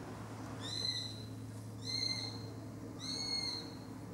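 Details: Sparrowhawks scream at a butterfly botanical garden: three thin, drawn-out screams, each under a second and slightly rising, about one every second and a half, over a steady low hum.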